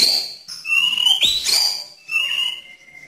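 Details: Murai batu, the white-rumped shama, sings tembakan: a high whistle, then a drawn-out sliding tone and a sharp burst, ending with softer descending whistles.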